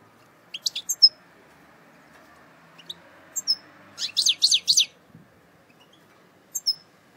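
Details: European goldfinch from eastern Algeria, a cage bird, giving scattered high thin chips, then a short burst of four buzzy twittering notes, and a final pair of chips after a pause; quiet room background.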